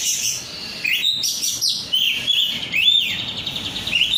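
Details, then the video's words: Oriental magpie-robin, a caged songbird, delivering rudal korea style song: a fast, continuous stream of high sweet whistles, trills and rising-falling slurs with hardly any pause. "rudal korea kacer gacor"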